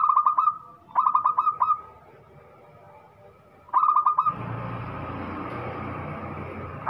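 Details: Loud local zebra dove singing two quick bursts of staccato cooing notes that end in a sustained coo, then a third burst before steady background hiss and rumble take over.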